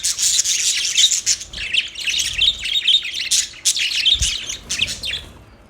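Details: Loud, lively budgie chirping: a steady stream of high warbled and scratchy notes, thinning out toward the close.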